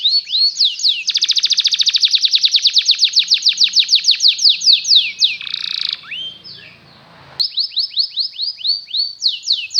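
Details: A Belgian canary sings rapid trilled rolls of high, sweeping notes, about three per second, with a brief buzzy passage and a short pause; the song is played to teach young canaries to sing.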